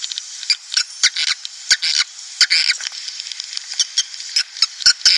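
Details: Lure playback of swiftlets, used to bring breeding colonies into a nest house. A steady high twittering runs throughout, with quick bright chirps and clicks scattered irregularly on top.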